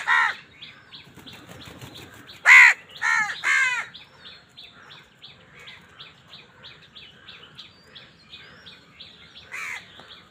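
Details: Crows fighting over food: several loud, harsh, downward-arching caws in quick succession in the first four seconds, with a steady background of soft repeated chattering notes and another caw near the end.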